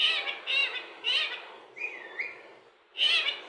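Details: Indian ringneck parakeet, a talking pet bird mimicking many words: several short raspy, speech-like bursts about half a second apart, with a smooth whistled note in the middle, indoors.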